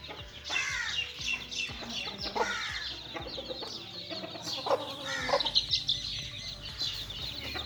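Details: Little chicks playing together, a steady stream of high, piercing peeps, many dropping in pitch, with occasional louder rising-and-falling chirps and faint low thumps in the background.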